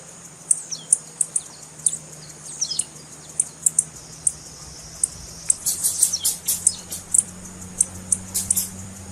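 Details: Female blue-black grassquit call meant to excite males and encourage song: a steady run of thin high chips with slurred downward notes, thickening into a dense burst of chips near the middle, over a low steady hum.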